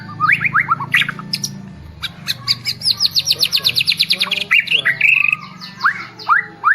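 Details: White-rumped shama of the Medan type, bowing repeatedly while singing; bright rising whistles and sharp chips, then a fast run of about fifteen repeated upslurred notes, ending in varied whistled phrases over a low hum.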